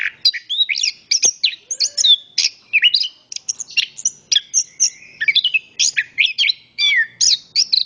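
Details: Continuous high-pitched song from an orange-headed thrush (anis kembang), made of many short whistled and trilled phrases that rise and drop quickly, repeated in rapid sequence throughout.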